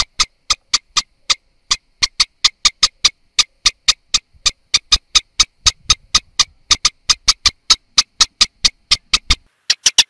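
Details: Eastern olivaceous warbler repeating dry, clicking tack calls in a long series, about three per second, with one short gap near the start.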